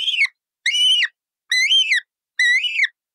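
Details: Brightly coloured parrot calling in four drawn-out, grating screeches, each about half a second long, slightly rising then falling, repeated roughly once a second against silence.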